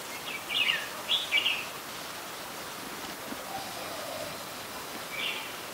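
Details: Red-whiskered bulbul, an adult, in Ubon Ratchathani, Thailand, December 2020: a pair of quick warbled chirps early on, a softer lower phrase later and a faint final note, over steady outdoor hiss.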